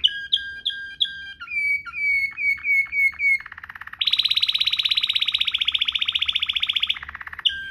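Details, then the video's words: Canary singing Waterslager-type 'ngerol' rolling song as a master recording for teaching canaries: whistled notes and rounded repeated notes, a soft low roll, then a loud, high buzzing roll held about three seconds. "NGEROL MEWAH ala WATERSLAGER, cocok buat Masteran burung kenari cengkok mewah"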